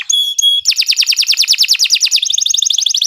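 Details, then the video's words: Canary song for training contest birds: two brief pure whistles, then a fast rolling trill that switches to a quicker, higher chatter near the end. "Kicau Burung Kenari 114 II GACOR PANJANG Cocok untuk Masteran"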